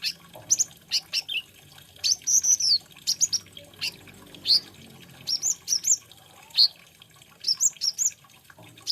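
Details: Olive-backed sunbird (konin) delivering a busy, varied song of high sliding whistles and sharp chips, grouped in short bursts with brief pauses between phrases.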